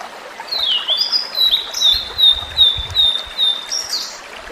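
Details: Blue-and-white Flycatcher, migratory, singing in the wild: a flute-like series of clear whistled notes, mostly downslurred and repeated at a steady pace, finishing with a higher buzzy note, with faint low thumps beneath.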